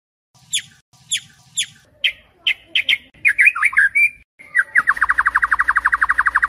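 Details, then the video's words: White-rumped shama night lure song for training contest birds in Indonesia: spaced sharp chips, then a jumble of quick varied twittering notes, ending in a fast, even run of repeated notes. "Singing Bird : Murai Batu, Pancingan Malam untuk Menjadi Fighter Sejati"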